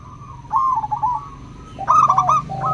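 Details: Zebra dove, local type with crystal voice, played to coax quiet doves into song: a short rolling coo trill, a pause, then a louder bubbling phrase with a lower overlapping note.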